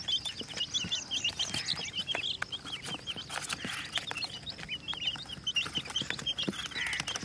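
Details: A crowd of colorful chicks keeps up rapid high-pitched peeping, shrill curved notes tumbling over one another almost without pause, mixed with clicks, taps and a soft rustling hiss.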